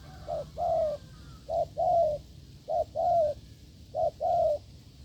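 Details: Wild spotted dove met in the field during a decoy test, cooing strongly in the 'gù lợi cốt' style: four low phrases, each a short hoot then a longer, slightly falling coo, repeated about every 1.2 seconds over faint background hiss.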